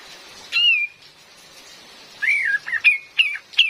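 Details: Female cream-vented bulbul, used to attract birds in forest: one drawn-out whistled slur, a pause, then a quick series of four or five bright chirping notes, rain hissing softly behind.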